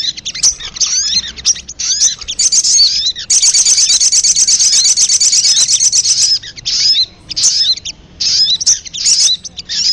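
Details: Sogon call meant to attract birds: a string of high chirps leading into a long, rattling buzzy trill, ending with scattered squeaky notes.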